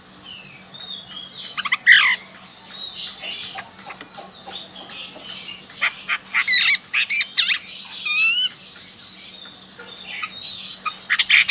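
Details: Chinese hwamei, a lively bird hard to tame with a loud voice, recorded in Sokaraja, Banyumas, Central Java: varied, rapid song of whistled sweeps, sharp chips and trilled notes in bursts, with a steady low hum underneath.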